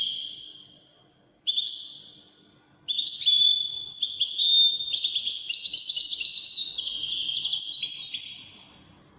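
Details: Wedani European goldfinch, described as Algerian, singing: a short twittering phrase, a pause, then from about three seconds a continuous rapid jumble of high tinkling, buzzy and liquid notes lasting to the end.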